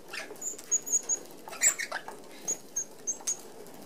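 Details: Several Red-browed finches, an Australian native finch, feeding at an open aviary feeder. Isolated short, piercing high peeps sound every fraction of a second amid light wing noise.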